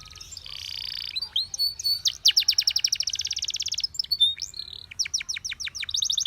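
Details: Canary singing a training song meant to coach other canaries: varied high trills, rapid buzzy rolls and sweeping whistled notes shift from phrase to phrase, with a low background rumble throughout.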